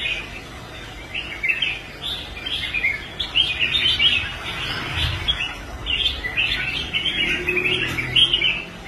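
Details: Restored caged red-whiskered bulbul singing on a competition rack after once giving up contests; lively chirping phrases in rapid runs, brief pauses between bursts, steady low background hum.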